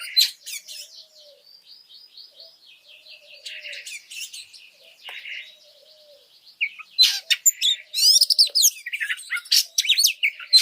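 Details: Oriental magpie-robin song used as training material to provoke other birds: varied chirps and rapid buzzy trills, quieter in the middle, then loud dense bursts of sharp notes and rising whistles toward the end.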